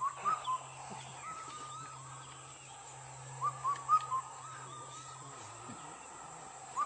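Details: Indian cuckoo, known locally as the Kafal bird, singing in Uttarakhand near Almora and Ranikhet: faint four-note whistled phrase, the last note dropping, given twice with a long pause, steady low hum and background noise throughout.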